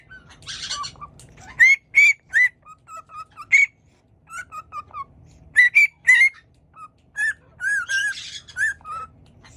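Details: Pet conure parrot indoors in a bird room, whistling while dancing: a series of clear, short, slightly rising whistled notes in two bursts, some paired, separated by brief pauses, with a few harsher squeaky notes mixed in.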